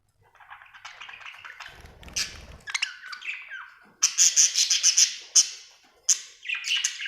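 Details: Happy budgerigar chirping: a bright, scratchy warble of rapid chirps and clicks, then a burst of quick sharp high ticks repeated several times a second, with squeaky notes mixed in.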